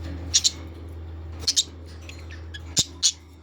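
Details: Australian parrots giving sharp, high-pitched chirps in quick pairs, three pairs spaced about a second and a quarter apart, over a steady low electrical hum.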